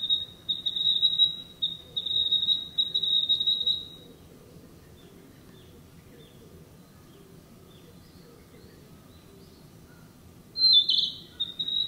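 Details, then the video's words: Narcissus flycatcher, a breeding summer bird, in woodland: a long, high, steady trill of rapid pulses lasting about four seconds, then a pause and one short, bright, whistled phrase near the end. The setting is otherwise quiet. "「キビタキ」 林の中 美しい声でさえずる “Narcissus Flycatcher” sings a sweet song in the woods"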